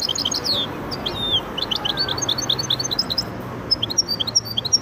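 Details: Goldfinch × canary hybrid in continuous song: quick high chirps, downward-sweeping whistles and buzzy twitters run together in a lively, varied stream over faint background hum.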